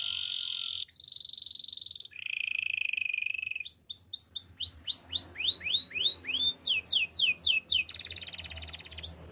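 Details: Canary song with sustained buzzy notes at shifting pitches, then repeated rising-and-falling slurred notes about four per second, ending in a dense high trill.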